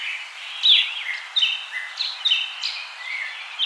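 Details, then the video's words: Bird singing outside: sharp whistled notes and quick falling slurs, several bursts within under four seconds, set against a steady background hiss. "Bird sound"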